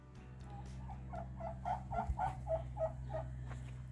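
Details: At a new homestead in New Brunswick, a turkey the owner says wants to get out with the chickens gives a rapid run of about ten throaty, bubbling notes over three seconds, over a steady low hum; finding: Turkey.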